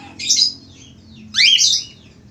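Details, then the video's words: A male budgerigar sings actively in two squeaky, scratchy warbling phrases about a second apart; the second phrase slides upward and chatters briefly before fading, with a low hum underneath. "falk australi gacor"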